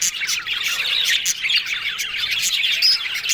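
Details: Happy yellow budgies chatter without pause: a thick tangle of high chirps, warbles and squeaks, broken by short rasping bursts.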